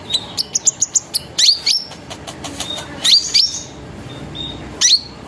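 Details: Sunbird lure singing to draw song from other sunbirds: a quick string of high ticks followed by sharp, rising-then-falling whistled notes spaced about a second apart.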